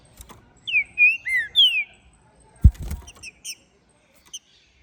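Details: Ringed green-winged saltator bred in captivity in Minas Gerais, Brazil, in full song after moulting: four rich, swooping whistles in quick succession, followed by a sharp knock and a few short high chips.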